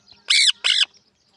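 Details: Pakistani pet parrot (mithu tota) uttering a pair of loud, grating squawks, the first slightly longer, separated by a short gap, in an otherwise quiet setting.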